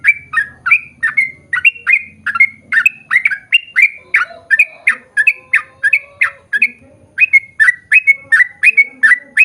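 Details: Sooty-headed bulbul in long continuous song used to make birds of its kind respond: loud bubbly whistled phrases in quick succession, with faint low background hum at the start.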